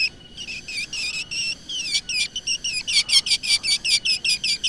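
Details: Black drongo original sound used for luring: drawn-out whistled notes that slide and wobble, then quicker, louder pulsed notes repeated steadily to the end.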